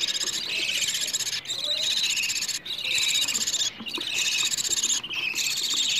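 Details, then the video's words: Budgerigar nestlings calling for food, used to encourage budgies to breed: continuous grating, buzzy high-pitched begging in rough phrases of one to two seconds with short breaks between them. "وفي الأخير، أحببت أن أسمع صوت الطيور وهي تطلب الأكل، وهو تحفيز لطيوركم على التزاوج أو زيادة الفراخ بإذن الله."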